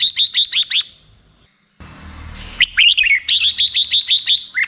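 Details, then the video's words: Black-crested bulbul singing: a fast run of sharp, ringing notes, each dipping then rising, repeated about five per second; after a short pause with a brief rustle, a rising warbled phrase leads into another rapid series of the same notes. "suara burung merbah jambul"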